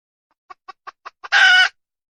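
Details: Five evenly spaced clucks from a red junglefowl hen lead into one loud, buzzy, harsh squawk lasting under half a second.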